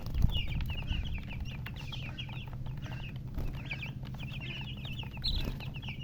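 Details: Chicks, a group of young chickens, peeping nonstop: short, high, bouncing chirps overlapping several times a second, with a louder burst near the end, over a steady low hum.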